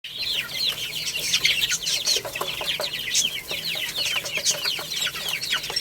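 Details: Baby chickens playing and eating, a crowd of chicks giving high, rapid, downward-sweeping peeps that overlap constantly, with scattered sharp clicks beneath.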